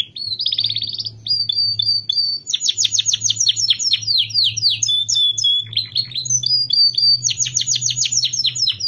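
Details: Pet canary in continuous loud song: fast repeated chips of more than three notes a second, rolled trills, short whistles and descending sweeps. A steady low electrical hum runs underneath.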